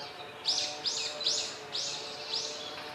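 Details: Male Japanese sparrowhawk that has caught prey, calling the female, which does not come, in park woodland on 10 May 2021. Five loud, high, arched notes follow one another about every half second over faint background hum.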